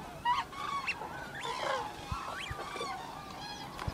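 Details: Several demoiselle cranes playing in farm fields call together in harsh, rolling, trumpet-like croaks that rise and fall, overlapping in quick succession, with a faint background hiss.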